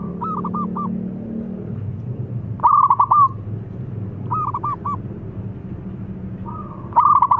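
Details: Thick-voiced young local zebra dove, kept as a lure for wild doves, repeating short rattling coo phrases about every two seconds, each a quick burst of pulsed hooked notes, against a constant low background rumble.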